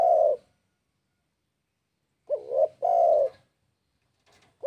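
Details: Spotted dove in breeding condition calling out to a rival; after a trailing coo, one full phrase is heard, a quick two-part wavering note and then a drawn-out hollow coo, before a new phrase begins.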